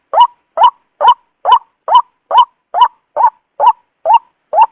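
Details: White-breasted waterhen lure call for trapping: eleven evenly timed, throaty rising notes in a regular series of a little over two per second, identical in shape, with silence between them.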